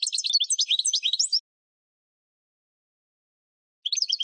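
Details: Goldfinch song in spring for cage-bird training: a rapid jangling burst of high twittering notes, a pause of over two seconds, then the twitter begins again.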